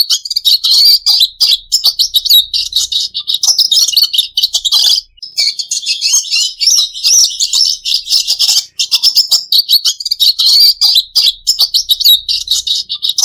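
A red siskin sings a fast, continuous twittering song of high, buzzy trills and chirps that runs almost without pause.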